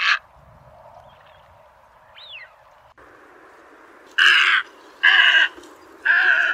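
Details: Trapping recording of a white egret: a faint, scratchy rising note, then three loud, harsh croaks, each about half a second long, repeated roughly once per second.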